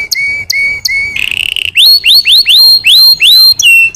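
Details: Canary song: three short flat whistles, a brief buzzy roll, then a string of loud rising-and-falling whistled notes at a lively, regular pace.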